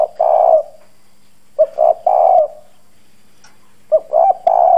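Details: Decoy spotted dove with a husky 'giọng đồng' voice cooing to lure wild doves. Three deep burry coo phrases, the first cut off, each ending in a long rolling note, with a faint hum and a tiny click between.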